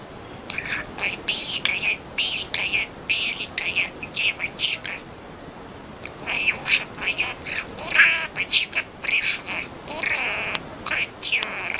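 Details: Pet talking parrot chattering indoors in quick, speech-like bursts of raspy, high syllables and clicks, some with short whistled notes, repeated unevenly across the clip with brief pauses between phrases.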